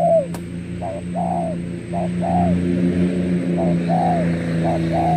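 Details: Spotted dove used as a lure bird for trapping in Cà Mau, Vietnam, 21 February 2024: soft mid-pitched cooing phrases, a short note followed by a longer drawn-out coo, repeated about once a second over a steady low engine-like hum.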